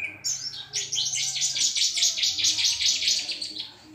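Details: Orange-headed thrush in full song, loud and clear: a dense run of high, rapid chirps and twittering notes without pause.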